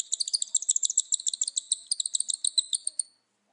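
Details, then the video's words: Male cockatiels give a fast, high, chattering run of short chirps, about eight a second for three seconds, then fall silent; the owner had never seen this from their cockatiels before. "mâles calopsittes"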